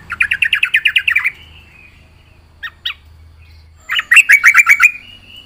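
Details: Yellow-vented bulbul in active, full song: a fast bubbling run of about ten chattering notes, two isolated chirps, then another quick rippling series ending in a drawn-out thin note; faint low hum behind.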